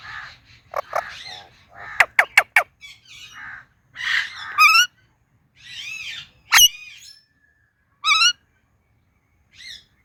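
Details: Indian ringneck parakeet chattering: a quick series of sharp clicks and chirps, arched raspy calls, one loud piercing shriek and short bright chirped notes spaced by silences.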